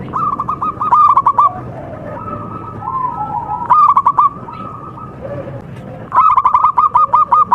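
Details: Local zebra dove of contest quality giving bursts of quick, clipped cooing, the last burst the longest. A quieter lower dove coos in the pauses.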